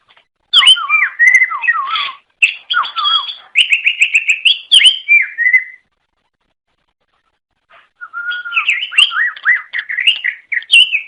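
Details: Long, varied greater green leafbird song aimed at luring others of its kind: rich, fluty whistled phrases and quick trills, a few seconds of silence, then another lively warbling run.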